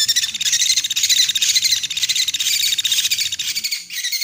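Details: Woodpecker lure call, played to attract birds for trapping: a dense, continuous stream of rapid, high-pitched chattering and twittering notes with no clear pauses, over a faint low hum.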